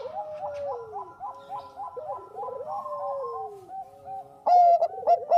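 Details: Bangkok zebra dove singing as lure: a soft warbling run of repeated notes descending in pitch, fading, then a sudden loud phrase of bright, clipped coos at the end.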